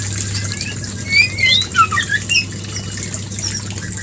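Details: White-rumped shama mating call used as a lure to bring on breeding; a few sharp, slurred whistles in quick bursts around the middle, over a steady electrical hum and hiss.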